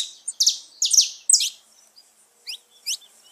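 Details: Saffron finch song played to stimulate pet birds: a few loud buzzy high descending notes, then a pause and two thin downslurred chirps.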